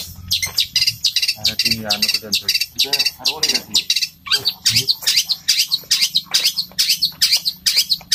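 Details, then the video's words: A long-tailed shrike pours out a rapid, scratchy, high chatter of sparrow-like chirps, about two notes a second, with a few harsher nasal notes early on. "Cendet suara gereja tarung roll speed gacor"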